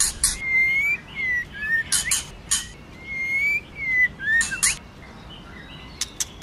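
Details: Female white-rumped shama singing in the forest-voice style to stimulate the male. Clear, slightly rising whistled notes alternate with harsh, broadband chacks and short upslurred phrases. Sharp clicks follow near the end.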